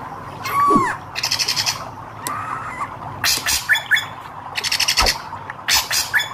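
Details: Hair-crested drongo, red-eyed form, sings a varied run of curved whistles, buzzy rattles and crackling clicks in quick, uneven sequence.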